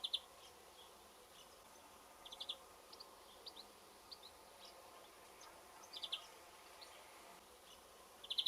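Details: A European greenfinch singing from the top of a rowan tree at the end of a garden gives short, high twittering notes in scattered bursts of two or three, with soft buzzy edges, against a quiet background.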